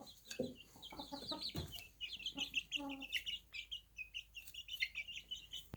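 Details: Chicks on a small farm before their night rest, a dense chorus of short high peeps repeated rapidly throughout, with a few lower clucks and brief rustling thumps early on.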